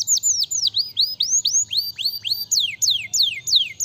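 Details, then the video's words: Canary song: rapid series of loud, clear downward-sweeping whistled notes, repeated about three to four times per second, shifting to steeper descending slurs near the end, with a faint low hum beneath. "qual canário aguenta o som deste canário?"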